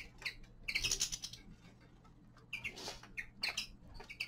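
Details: Young male common linnet in winter: brief sharp chirps in small clusters, one louder buzzy twitter near the start, with soft clicking and a constant low hum behind.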